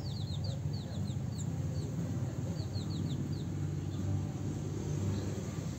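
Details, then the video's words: House sparrows in their mating time: clusters of quick, shrill falling chirps, some in pairs and triplets, against a heavy low rumble. "house sparrows mating time...."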